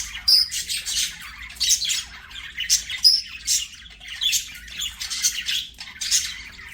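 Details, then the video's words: Singing budgerigars at play give rapid scratchy chirps and squawks, mixed with a few thin whistled notes, in a steady run of short bursts roughly every half second. "BUDGIES SINGING PLAYING"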